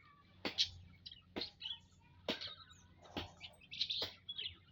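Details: Aviary munias recorded Saturday, 19 April 2025, with brief high chirps in between heavy clicking thumps about once a second, and a faint low hum beneath.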